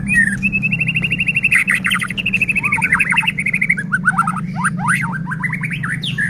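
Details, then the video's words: Lure recording of a white-rumped shama singing steadily to goad other shamas into song: a long run of rapid repeated whistled notes, then quick rising and falling slurred phrases, with a constant low droning hum behind. "Murai batu gacor AMPUH buat PANCINGAN murai batu agar bunyi"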